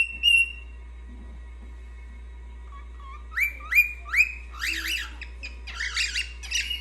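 A cockatiel gives bright rising whistles, then breaks into a quick warbling chatter over a low steady hum.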